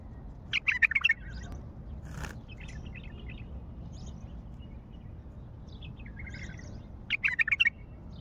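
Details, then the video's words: Wild Baghdadi common bulbul singing: two bursts of quick, warbling, bubbly phrases, one near the start and one near the end, separated by a quieter stretch with faint scattered notes over a steady low background hum. "تغريد بلبل وحشي بغدادي"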